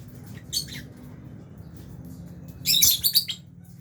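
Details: Lovebirds, Fisher's and Albino, eating in an aviary: one rasping chirp early, then a rapid jumbled run of shrill, buzzy notes near the end over a low hum.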